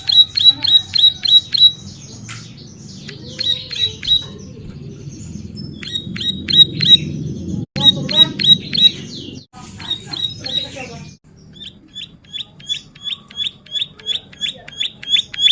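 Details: Bar-winged prinia singing vigorously as a lure or training recording: bursts of quick, high, clipped chirps repeated in runs, broken by pauses, over a steady low rumbling background.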